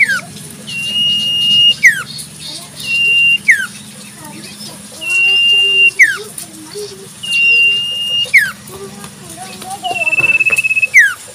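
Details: Natural wild recording of a Common Iora: five sustained high whistles, each ending in a downward flick, the last with a buzzy vibrato. Softer lower warbled notes from another bird come between phrases.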